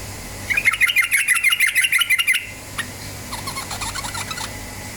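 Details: Yellow-vented bulbul song used as a lure to make birds quickly start singing in the rapid ropel style: a fast, bubbly run of about fifteen chattering notes, then a pause and softer, thinner notes closing the phrase.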